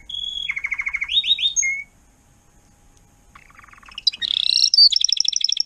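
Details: Timbrado canary tutor with young birds: a held whistle, a low rolling rattle and rising notes, a pause, then renewed low trill leading into loud high pulsed tours.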